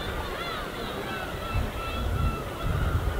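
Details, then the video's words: Gulls of a flock over the winter East Sea give faint, thin wavering cries above a low rumble of gently breaking waves. "갈매기와 잔잔한 파도소리"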